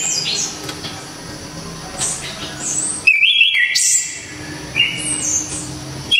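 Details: Loud 'tembakan' shots of the anis kembang, or orange-headed thrush, from Java: faint high notes, then a strong sharp whistled phrase with a piercing high note, followed by shorter rising whistles.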